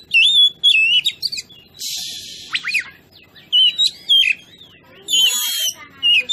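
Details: Oriental magpie-robin song for provoking other birds: bright looping whistles broken by a harsh hissing rasp, then more whistled phrases and another rasp.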